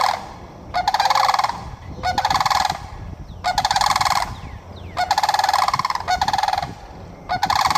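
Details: Florida sandhill cranes give loud rattling, trumpeting calls in bursts of about a second, with short pauses between and a second bird overlapping, over a low steady background hum.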